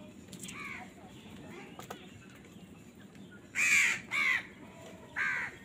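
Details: Crows fighting for food give a few faint calls, then two quick loud rasping caws and a third shortly after, against a hissing background.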